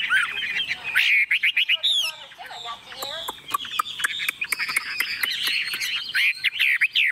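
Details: Tame Chinese hwamei in a shaken hand-carried cage, unbothered by people or birds, delivering busy song of trilled whistles mixed with sharp clicking ticks and rattly notes.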